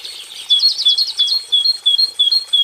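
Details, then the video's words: Cinereous tit song, one of three song variations: a quick high trill, then clear whistled notes repeated about every quarter second, steady and bright, in a quiet setting. "Gelatik Batu Kelabu,, 3 Variasi Kicau"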